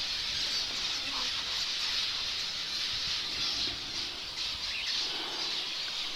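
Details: Flock of wild zebra finches in Australia, waiting in trees around a waterhole in dry, desolate country to come down and drink, keeps up a dense chorus of high, nasal little calls.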